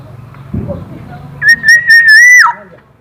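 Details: Local Black-naped oriole from East Java, said to have many melodious sound variations: one clear, pure whistled note held level for about a second, after low murmuring voices and background noise.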